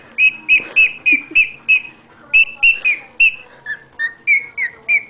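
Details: Pet bird doing a happy, weird singing routine: a string of short clear whistled notes repeated about every quarter second, steady at first, then a brief pause and notes dipping lower toward the end.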